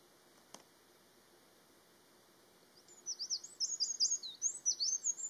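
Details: Eurasian wren singing: after nearly three seconds of quiet with one faint click, a rapid, high, bright run of trilled and twittering notes begins and keeps going, loud and close, with no other birds heard.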